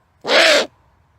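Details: A great horned owl lets out one brief, harsh, hissing screech of just under half a second, abrupt at start and end, in a quiet surrounding.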